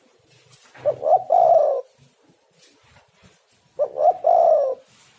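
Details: Spotted dove used as a lure, cooing twice: each phrase two short soft notes rising into a long mellow coo, about three seconds apart, faint low thumps in the background.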